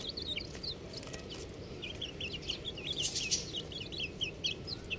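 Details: A group of little chicks keeps up steady, thin, high peeping, with rapid downward-curving cheeps repeated several times a second from many birds at once.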